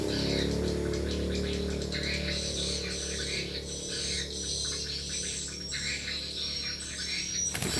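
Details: Swiftlet lure sound played at a small swiftlet house: rapid, repeated high chirps and twitters, about four per second, over a steady low electronic hum and faint music-like tones.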